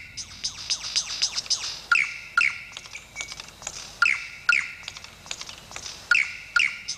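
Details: A Superb Lyrebird in the rainforest around Mt Warning, Australia, mimics other bush birds: quick high chirps, then a two-part phrase of a clear whistled note and a sweeping slur, repeated about every two seconds.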